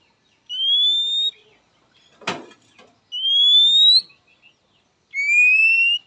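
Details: Oriental magpie-robin calling a rival, a call that males and females answer quickly: three long, clear, slightly rising whistles spaced about two seconds apart, with a short dry click between the first two.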